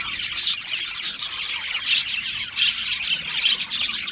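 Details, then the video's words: Flock of Australian parrots chattering together, a dense, continuous wash of high twittering chirps and warbles with short squeaky notes overlapping throughout, no pauses. "Beautiful Australian Parrots Chirping sounds beautiful Parrots Sounds"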